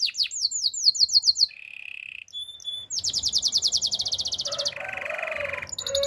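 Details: Canary song for coaching other canaries: quick repeated down-slurred whistles, a short low buzz, then a long very fast high trill followed by a lower rolling buzz, over light background rumble.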